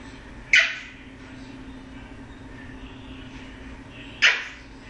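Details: Pet male eclectus parrot, a foster bird, making odd noises: two abrupt, harsh bark-like squawks about three and a half seconds apart, each fading quickly, with a faint steady hum in an otherwise quiet room.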